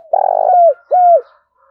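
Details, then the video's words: Spotted dove male cooing fiercely to provoke a rival; a brief stuttering lead-in swelling into a long hollow coo, a short gap, then a second even coo dropping at the end. "Tiếng chim cu gay thúc bổi rất hăng và máu"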